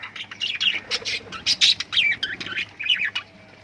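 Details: Lovebird squawks and chirps, loud and shrill, in short separate bursts about every quarter second, some notes sliding up and down, with a few faint low taps behind.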